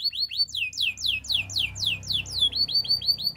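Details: Male canary singing: a rapid series of descending whistled sweeps, roughly two per second, slowing into rising upward-slurred notes near the end, with faint low background hum.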